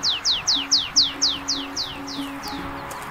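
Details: A Tree Pipit near Fröndenberg, Germany, on a fine April day gives its courtship song in display flight over heath and woodland edge: about ten high, sharply down-slurred notes, roughly four a second, slowing and fading, over a soft musical hum.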